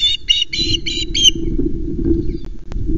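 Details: Osprey on the Loch Arkaig nest at 16:56, as Aila brings a fish for Mallie and Rannoch is not seen: a quick series of five shrill, squawky chirps, about five per second, then silence over a steady low rumble of wind.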